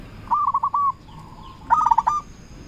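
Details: Lure zebra dove of local stock calling to rival doves: a short stuttering coo ending in a drawn note, a faint low hum, then a second faster burst of rapid rolling coos. Faint background hiss.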